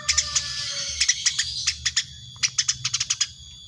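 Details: Very tame Eurasian tree sparrow chirping constantly, evenly spaced high chirps that cluster into a quicker run near the end, with a faint hum beneath.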